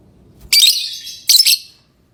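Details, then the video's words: Two piercing, harsh chirps from a lovebird, less than a second apart, the first drawn out and fading, then quiet. "Love bird singing & chirping sounds"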